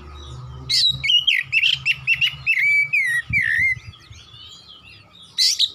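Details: Oriental magpie-robin song in 'gacor nembak-nembak' style, a rapid sequence of loud, clear whistles sliding up and down, ending in a falling note, then quieter twitters and one last bright burst; low hum throughout.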